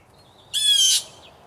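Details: Blue jays, three to five, in a territorial fight in a home's tree: a faint thin whistle, then one loud, grating, nasal squawk lasting under half a second, then a short soft note, with little else in the background.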